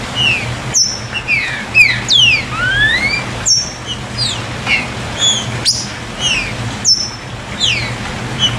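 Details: Green-winged saltator in "chuva" song, used to get captive birds singing: many overlapping clear whistles, short falling slurs and long rising glides, broken by sharp clicks about every one to two seconds, over background hum.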